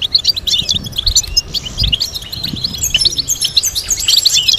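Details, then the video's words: European goldfinch producing a tutoring melody: lively, rapid twitters and liquid chirps that grow denser toward the end, over sustained high ringing tones. "Teaching goldfinch to sing complex stimulating melodies"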